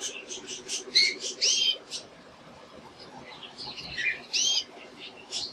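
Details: A male canary sings in quick, varied bursts of high chirps and bright whistled notes, with a steady low hum behind.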